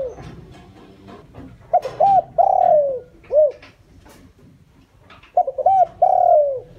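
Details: Captive lure spotted dove cooing to attract others. Two phrases of clipped double notes run into a long descending coo and a short arched note, with scattered soft clicks and taps between them.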